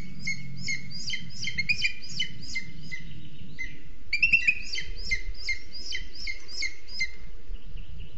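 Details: Booted eagle at its nest in a large Scots pine in Sierra de Guadarrama National Park, Spain, caught by a webcam. The female feeds a chick only hours old while the male brings lizards. Two bursts of rapid, shrill, chevron-shaped notes ride over a low steady hum.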